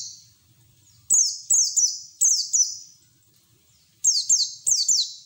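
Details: White-eye song meant as training audio for other white-eyes: loud high whistles sliding downward, delivered in two bursts of three with a near-silent gap between.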